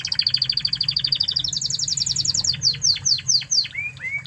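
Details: Tutor song of a Spanish Timbrado canary from Spain: a fast even bubbling trill stepping upward in pitch, then slower descending chips and two short whistled slurs at the end.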